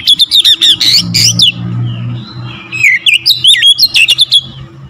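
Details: Oriental magpie-robin song used to provoke other magpie-robins: loud bursts of quick, varied whistles and chatter, a brief softer gap, then another energetic run of sharp notes.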